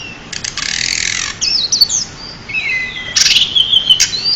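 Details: A champion pied bushchat sings as a model for other birds: a harsh buzzy rattle, then slurred high whistles, a lower warbled phrase and a final run of crisp ticking notes with whistles.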